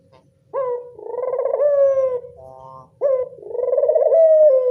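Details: Luring call of a local Barbary dove: two rolling, buzzy coos, each starting with a crisp upward note and stretching into a long wavering purr that falls off at the close.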